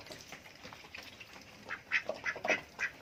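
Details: Adult duck asking for food: a run of short, raspy quacks that grow louder toward the end, about two per second.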